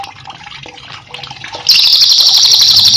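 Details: Cililin as a master song for cage birds: quiet scattered chirps and water sounds, then a loud, rapid, high-pitched rolling trill bursts in and carries on to the end.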